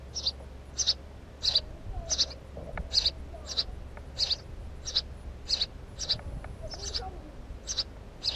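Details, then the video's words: Repeated high, clipped chirps from a house sparrow, about thirteen notes in eight seconds at a steady, slightly uneven pace, with a constant low hum underneath. "Воробей домовый"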